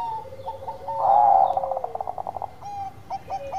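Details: Bangkok-type zebra dove (perkutut) singing actively: soft hollow cooing notes near one pitch, a louder blurred coo phrase midway, then a quick fluttering run of short pulsed notes and a few trailing coos, with faint background hiss.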